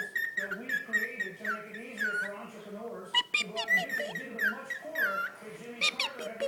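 A cockatiel chatters in speech-like babble, mixed with bright rising and falling whistles.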